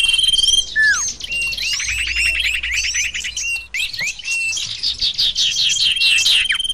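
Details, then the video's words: High, rapid twittering of sirtu birds used to lure others: quick trills of clipped notes mixed with falling whistled slurs and a few squawky notes, with a steady shrill tone throughout. "audio pikat burung sirtu"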